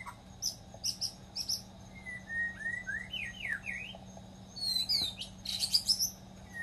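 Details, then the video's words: Melodious wild white-rumped shama: rhythmic high chips repeated at the start, then a sequence of slurred whistles rising and falling, ending with fast high trilled notes. "𝗦𝘂𝗮𝗿𝗮 𝗞𝗶𝗰𝗮𝘂 𝗕𝘂𝗿𝘂𝗻𝗴 𝗠𝘂𝗿𝗮𝗶 𝗕𝗮𝘁𝘂 𝗔𝗹𝗮𝗺 𝗟𝗶𝗮𝗿 𝗠𝗲𝗿𝗱𝘂 𝗚𝗮𝗰𝗼𝗿"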